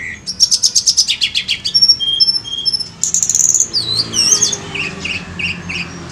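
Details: Lure recording of a vigorously singing Sunda robin: a rapid buzzy trill, then a few drawn-out high whistles, then a rich burst of sweeping whistled notes and quick chirps.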